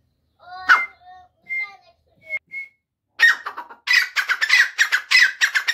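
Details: Grey francolin, or teetar, calling. It starts with a few separate clear whistled notes, then breaks into a fast, loud run of harsh, ringing repeated notes, several per second.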